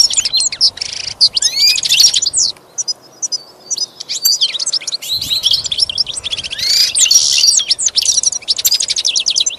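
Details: Goldfinch song for training a pet bird: continuous high twittering with rapid chirps, sweeping notes and buzzy trills, briefly quieter near the middle.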